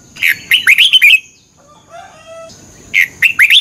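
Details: Red-whiskered bulbul in morning competitive song, used as a lure to train birds: two bursts of bright, warbled, chirping notes with a thin steady high whine, separated by a quieter pause holding faint tonal whistles.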